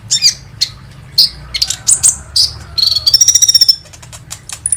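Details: Kolibri ninja sunbird singing, a lure to bring other birds into song: scattered high chirps and squeaky notes, then a rapid, even trill of very thin notes.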